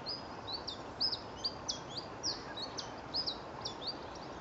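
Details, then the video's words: Siberian Chiffchaff (tristis) singing, Goodrington, Torbay, Devon, UK, 21 December 2014, after song playback: a rapid, jumbled run of high, thin chirping notes against steady hiss; its call sounded like collybita. "Siberian Chiffchaff song"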